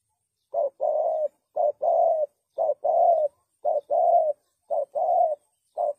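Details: A spotted dove, used as a lure for trapping doves, coos cleanly in a steady pattern: a short low hoot then a longer sustained coo, repeated about every second, with no background noise.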